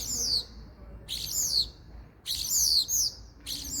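A common starling gives high, falling whistles mixed with scratchy chatter in short bursts about once a second, with a faint hiss behind.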